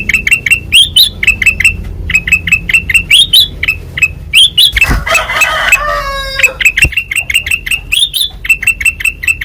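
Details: Kutilang emas with white eyes in full ngeplong song: quick sharp chirps and rising slurred notes in dense runs. Mid-clip a harsher, noisy burst with a squeaky descending series briefly interrupts.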